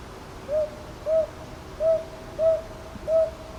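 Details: Northern boobook recorded on 22 May 2023 at Ichijoji, Sakyo Ward, Kyoto, with a TASCAM DR-100MKIII: five soft, mid-pitched hoots spaced about half a second to a second apart, over a quiet background.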